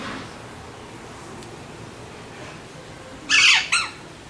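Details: After near silence, an Alexandrine parrot lets out one loud harsh squawk and then a shorter second one.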